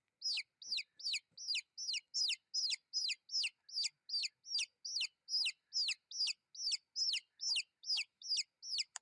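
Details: A steady run of shrill chick peeps, each sliding steeply downward, comes at an even pace of roughly two to three per second with no other sounds.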